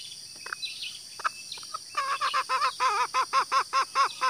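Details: Female green junglefowl call used to draw in males: after scattered faint chirps and background hiss, a steady series of short arched notes begins and grows louder, repeated about two to three times per second.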